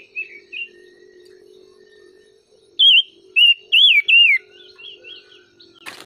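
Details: Songbird song opening with a few soft chirps. A steady low hum holds in the background, then four loud, looping whistled phrases follow rapidly, one after another. A brief click closes the passage.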